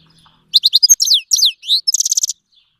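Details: Iranian goldfinch, Himalayan and black-headed cross, Fars province, Iran, song meant to teach young birds: clipped high chirps, down-sweeping slurs, one rising whistle, then a short run of buzzy repeated notes ending abruptly.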